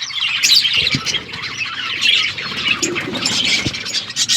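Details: A parrot eating food, February 25, 2024: busy, continuous high-pitched chirping and twittering, with a few soft low knocks underneath.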